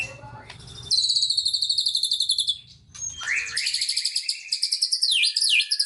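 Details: Magpie-robin in 'tembakan sejalur' song: a rapid, buzzy high trill held for about two seconds, a short break, then a sliding whistle and another fast pulsing trill with sharp dipping notes.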